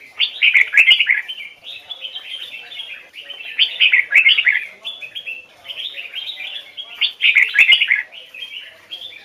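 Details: Vietnamese red-whiskered bulbul kept for song training, standard Hoài Sơn forest double-note voice: loud, rich warbled phrases repeated about every two seconds, separated by quieter running chatter.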